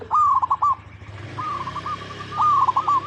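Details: Zebra dove of local stock singing to lure other doves: a loud bubbly coo phrase, a softer drawn-out purr, then another rolling trilled phrase, with a steady low hum and hiss behind.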